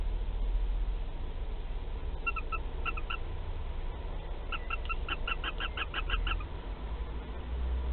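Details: Western barn owl, nest box at Théding, France, 15 March 2021, first egg being laid; a few scattered chirps lead into a quick string of about ten short tonal notes, with a steady low hum throughout.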